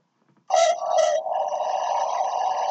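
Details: A Southern boobook (Ninox boobook), a common night-time owl in Australia, gives its two-note hooting 'boo-book', both notes low and hollow and half a second apart, followed by a steady humming drone.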